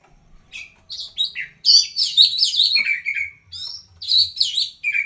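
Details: Oriental magpie-robin in full song, a kept bird; loud varied phrases of whistled and slurred notes, some sweeping down, others rising, in quick bursts with brief pauses.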